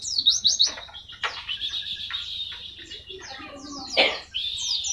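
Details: Pleci, or white-eye, singing a fast tembakan-style tutor song: dense bursts of high, shrill chattering notes with quick downward slides and short breaks, repeated loud flourishes, and a few lower tones in the background.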